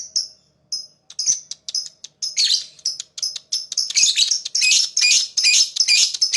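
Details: Lovebird, described as a fighter, chirping to attract other birds: scattered high chirps that build into dense, continuous shrill twittering, growing louder and busier toward the end.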